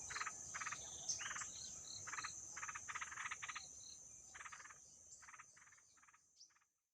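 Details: Wild yellow-vented bulbul nestlings two days after hatching, starving, give short, raspy begging bursts, about two a second in uneven runs, over a steady high insect whine.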